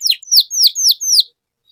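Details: Gacor canary phrase meant to coax silent canaries back into song: five quick, bright whistled notes, each sweeping steeply downward, then silence.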